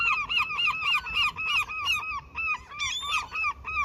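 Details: Gulls fed as a peace offering at a fishing spot give a steady chain of arched, laughing notes, roughly three per second, with a brief higher squeal near the end.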